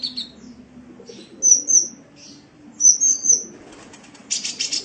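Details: Sunbird, a cage-bird training recording: short thin high whistles in pairs, a rising-falling whistled phrase near the middle, then a buzzy rattling burst at the end; faint low hum underneath.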